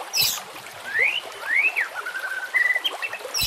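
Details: White-rumped shama song with running water in the background: clear whistled notes sweeping up and down, a level drawn-out whistle, and brief high clicks at the start and end.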